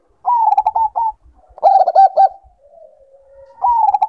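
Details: Breeding-condition call of a Bangkok zebra dove: a rippling coo phrase, then a louder run of clipped repeated notes and a low soft hum, before a new high fluttering phrase begins at the end.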